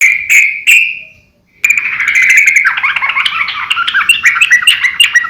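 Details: Sooty-headed bulbul in constant song, used to train and lure other birds: two short bright notes, a brief pause, then a dense run of bubbly, chattering warbled phrases.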